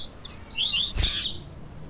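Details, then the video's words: Double-collared seedeater in tui tui song style, from a recording meant to excite males with female calls; a brief string of high whistles gliding down, broken by a loud harsh burst. "COLEIRO TUI TUI PURO E PIADO DE FÊMEA DE COLEIRO ESQUENTAR COLEIRO E ENCARTE DE COLEIRO TUI TUI"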